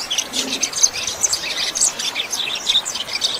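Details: Rusty-collared seedeater delivering "chuva" style song for training captive birds: dense, high-pitched chattering of brief chirps and tiny trills, rising and falling in loudness, over steady background noise.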